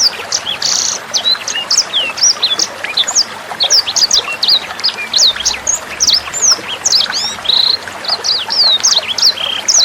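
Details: Sanger bird song for tutoring songbirds. Rapid, high, sweet twittering of short whistled slurs and chirps, with a few harsh buzzy notes, continues without pause over quiet running water.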